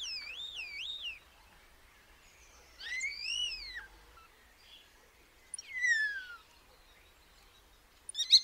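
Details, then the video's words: Common starling giving loud, wavering whistles that swoop up and down in pitch, in three phrases about two seconds apart, the last sliding downward, followed by a sharp click, against a quiet background. "Starling sound"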